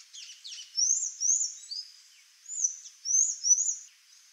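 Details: Sayaca tanager (Thraupis sayaca), also called sanhaço-cinzento, pipira-azul or sanhaço-do-mamoeiro, singing thin, high squeaky notes in quick slurred twittering phrases, two bursts split by a short pause, against a quiet background.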